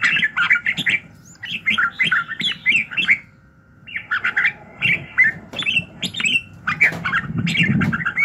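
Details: Morning song of a red-whiskered bulbul, used as voice training to stir birds into fighting fire: lively runs of whistled, warbling notes in bursts, a pause near four seconds, then more phrases, with a steady faint hum.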